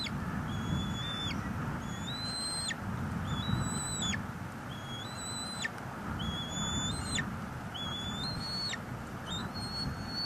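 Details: Bald eaglets feeding on a large fish at their northeast Florida nest, March 23, 2022, recorded by nest camera: a steady series of high, flat whistles, each ending in an abrupt downward slur, repeated roughly every second over broadband hiss.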